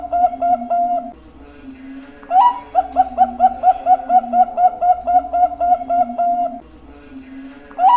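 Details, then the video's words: Bangkok-type zebra dove song: a drawn-out low coo, then a long, even string of quick, bouncy cooing notes about twice a second, followed by another low coo phrase and the start of a new series. "perkutut bangkok suara bagus"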